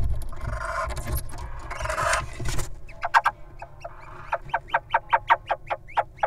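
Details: Wild little owl guarding its mate as the partner enters a nest box; after a stretch of low rumbling noise and scraping, a quick series of sharp, rising, clipped calls repeats several times a second.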